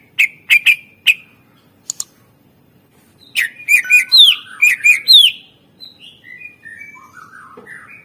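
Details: Greater green leafbird kept for luring other birds into song: sharp repeated chips, then a rich jumble of chattering notes and slurred whistles, trailing into softer varied warbling phrases.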